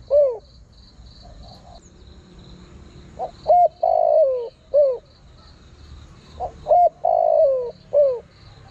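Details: Spotted dove calling to attract wild birds as a trapping lure: low, mellow cooing phrases, each with short rising notes, a long falling croon and a final falling coo, repeated about three times per minute-sized burst, faint high buzzing behind.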